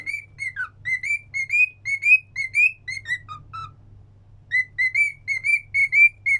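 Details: Pet cockatiel whistling a sing-along tune three times: a run of short clear whistled notes near one pitch with a few lower dips, a pause of nearly a second, then the phrase resumes. A faint low hum runs underneath.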